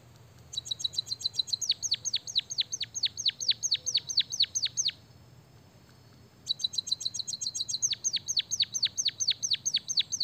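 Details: White-headed munia singing canary-style fill-in: two long bursts of rapid high chirps turning into steeply downward-swept whistles, roughly five per second, separated by a short pause of low hum.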